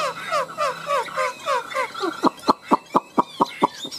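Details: Caged Chinese hwamei, two tame birds kept three years, singing in a fighting-song contest: a run of slurred whistled downstrokes, then a rapid series of about eight loud sharp repeated notes.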